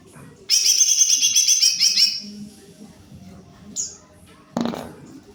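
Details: Energetic greater green leafbird song: one sustained burst of quick, sparkling chatter lasting about one and a half seconds. A short thin whistle and a brief rattling noise follow.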